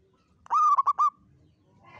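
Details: A single phrase of a local zebra dove's long 'kuk 7' song in Mataram style, recorded as bait sound for trapping: one sustained harmonic coo and then three short clipped notes, with faint background noise afterwards.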